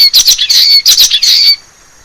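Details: Common waxbill, wild, in forest: a burst of coarse, buzzing high-pitched phrases with a faint thin whistle running through, lasting about one and a half seconds, then near silence.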